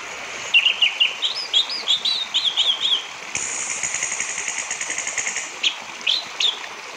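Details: Orange-headed thrush, song used to encourage other birds to sing: looping whistled phrases, then a long buzzy, rattling passage of about two seconds, followed by a few sharp notes, over steady hiss.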